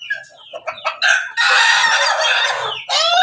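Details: Farm-kept Pelung, Bangkok and Ketawa crossbreed rooster with a red comb, Banguntapan, Yogyakarta, lets out one long, loud, strained crow lasting nearly two seconds and falling at the end. Soft clucks come before it, and another crow begins just after.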